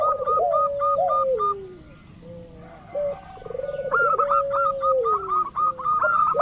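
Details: Zebra dove of the local type, a lure recording to draw rival doves into song: bursts of sharp repeated notes sit above low rolling trills and a long falling coo, with a brief quiet gap midway.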